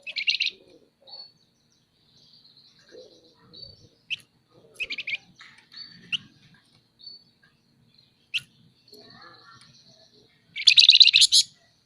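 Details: Vigorous nyerecet chatter from a scaly-breasted munia, locally flamboyan: scattered sharp chips and short buzzy rattles over about twelve seconds, ending in a loud rasping burst near the close.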